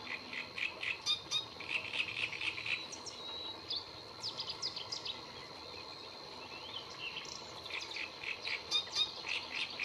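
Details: Great reed warbler song recorded 30 April 2022 at the La Guardia lagoons in Toledo: a continuous run of rasping, chattering phrases, about four notes a second, over a faint steady high-pitched hum.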